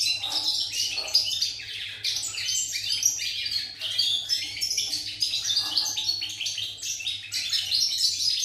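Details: Continuous rapid goldfinch song from a pied European goldfinch, 8 November 2019: dense jangling chirps and trills that tumble over one another in quick bursts, bright and metallic, over a steady soft background hum.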